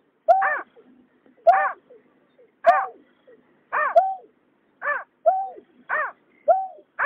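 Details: Male and female water rails, recorded in 2021, calling with loud, harmonic, arched notes roughly every second. Quieter, clipped notes fill some gaps.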